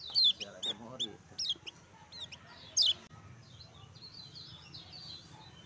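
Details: Singing Lemon-bellied white-eye giving a few loud, sharp, high chirps spaced about half a second apart, followed by softer, distant twittering over a low background rumble.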